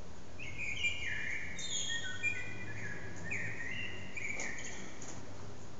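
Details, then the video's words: Loud blackbird song resounding through an echoing back courtyard, captured with an old HTC Desire mobile phone: rich fluted, slurred phrases following one another closely, with squeaky high flourishes, against constant background noise. "Amsel heute in besonders laut"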